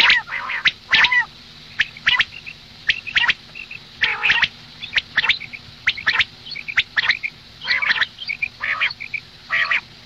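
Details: Over ten seconds a female common quail gives morning calls: irregular series of short, nasal squawks and sharp ticking notes, some with wavering tonal bands, with brief silent gaps.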